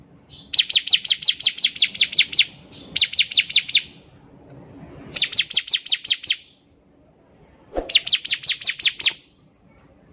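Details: Lively ciblek (bar-winged prinia) singing, a lure recording meant to make untrained birds start singing: four quick series of piercing high chirps, each a rapid even run of short notes separated by brief pauses.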